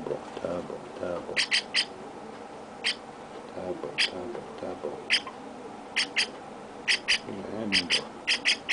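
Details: Baby chestnut-cheeked starling being petted by its owner. It makes bursts of short, sharp, high calls, often doubled or tripled, over low murmuring voices and room noise.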